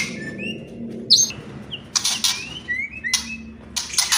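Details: Sparse white-rumped shama kretekan and whistling: scattered short rising whistles and a few scratchy, crackling bursts separated by quiet pauses.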